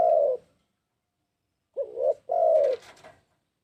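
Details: Spotted dove lure call: a single deep coo tail, a pause, then one full phrase of two short hollow notes followed by a longer soft coo, ending with faint high rustling.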